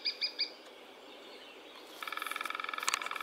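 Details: Lesser spotted woodpecker (Dryobates minor), a small, discreet, fast-moving bird with a distinctive call: three short, high, nasal notes, then a quick run of rapid, evenly spaced piping notes over faint background hiss.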